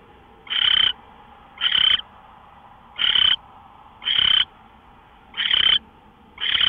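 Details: Owl on a live nest camera, recorded March 24 2013 at 5:27 AM; harsh, hissy, noisy bursts about a third of a second long, repeated roughly every 1.2 seconds, six in a row, over a faint steady background hum.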